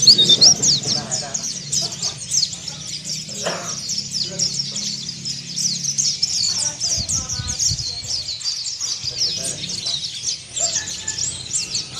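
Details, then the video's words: Mountain white-eye of Kelud, continuous twittering song used as singing therapy: dense high chirping runs throughout while low murmuring voice-like sounds and a few thuds occur underneath. "PLECI DAKUN KELUD NGERIWIK SAMBUNG BUKA PARUH"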